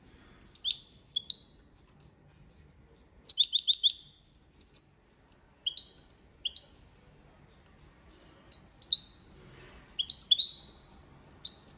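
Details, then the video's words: European goldfinch singing the copia Malaga style, a training song: bright twittering phrases and high buzzy notes in short bursts with quiet gaps between them. "Jilguero Cantando la copia malaga _ Goldfinch bird singing the wonderful sounds for training songs"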